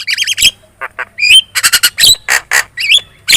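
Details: Javan myna in chatty lure song used to provoke replies: a warbling trill, then a dense run of harsh squawks, clicks and short rising whistles.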